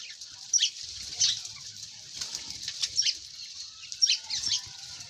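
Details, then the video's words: Sparse, sharp high chirps from birds every second or so over a steady high hiss and faint low rustling. "birds soothing birds chirps sound amaizing"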